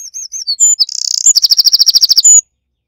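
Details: Eurasian wren at its nest: a few thin, high whistled notes, then a loud, rapid, very high trill of about a dozen sharp notes, with no other sounds.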